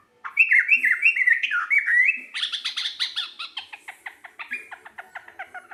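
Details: Local sooty-headed bulbul in active song: two seconds of fluty, bubbling whistled phrases, followed by a long run of quick, dry chattering notes, several per second, gradually fading.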